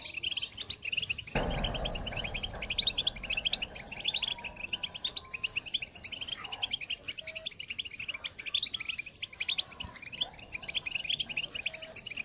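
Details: A 2022 recording of a European goldfinch's calling song, meant to spur other birds into song: rapid tinkling twitter runs throughout, with a dull thump early on and a few faint lower whistled notes in the background.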